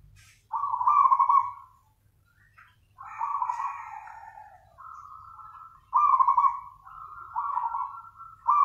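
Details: Zebra dove in energetic nganyer song: a series of burry, trilling coo phrases, some flat and drawn out, others rolling and louder, in a quiet setting.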